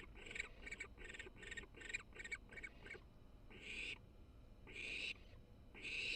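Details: Baby barn owl, the third chick, purring in excitement, apparently from a nest camera: about eight quick raspy pulses in three seconds, then three longer harsh, hissing screeches over a low steady hum.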